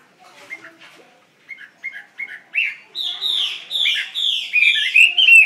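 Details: Chinese hwamei in a cage, starting with soft scattered notes that build into a loud, dense stream of rich, slurred whistles, faster and higher toward the end.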